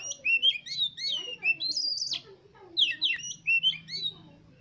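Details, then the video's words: Oriental magpie-robin song played as a lure to prompt competition birds to sing: rich varied whistles, slurred notes and sharp downward sweeps in quick bursts, with short pauses between phrases and a faint low hum beneath. "Pancingan Untuk Kacer Lomba Agar Cepat ON Dan Gacor Konslet Di Gantangan"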